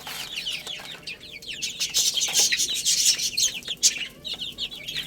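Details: Young chickens playing and feeding. A dense flock of shrill, downslurred cheeps swells louder in the middle, roughly two calls a second from any one voice, mixed with brief clicking taps.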